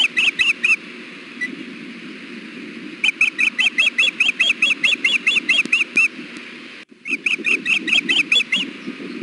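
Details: Wild osprey female at the Hellgate nest, June 2016, repeatedly fussing to be fed as her mate holds fish: runs of rapid, clear whistled chirps, about two per second, in three insistent bursts separated by brief gaps.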